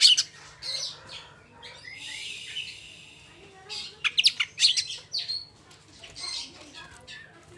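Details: Oriental magpie-robin singing fast and varied phrases meant to goad other magpie-robins into song; buzzy chatter, sharp clicks and short whistles come in quick clusters over a steady low hum.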